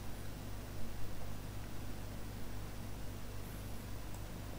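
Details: Only a steady low hum and broadband hiss like a fan or distant traffic are heard, with no animal calls.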